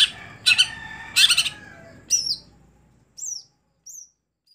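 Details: Greater green leafbird, a contest songbird that has stopped performing at competitions, gives two loud buzzy, rasping bursts, then a few short, high, slurred whistled notes spaced about a second apart over a low background rumble.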